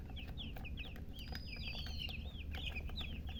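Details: Several chicken chicks calling together with quick, high, downward-curving peeps, overlapping in busy runs against a steady low hum.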